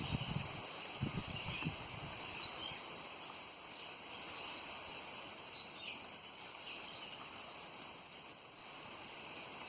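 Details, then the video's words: Birds calling on a windy afternoon in Devgad: a thin, high whistle rising slightly at the end, repeated four times roughly every two to two and a half seconds, with low wind rumble underneath. "Devgad windy afternoon birds chirping"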